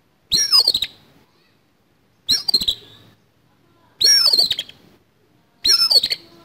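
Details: Fighting song of an Oriental magpie-robin kept as a contest bird, rough in style: four harsh, rasping bursts, each under a second, repeated roughly every one and a half to two seconds against a quiet background.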